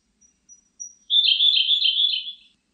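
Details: Siberian blue robin singing in a 2020 recording: faint high introductory ticks, then a dense, rapid, chattering trill lasting over a second, steady in pitch and tapering off at the end, with no other sounds.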